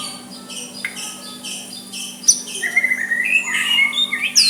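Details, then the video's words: White-rumped shama singing a soft song meant to provoke a rival into answering; high whistled notes and buzzy phrases, growing livelier after the first two seconds, with a steady low hum beneath. "Murai batu suara lembut cocok untuk MEMEKAT lawan ikut emosi dan saling balas"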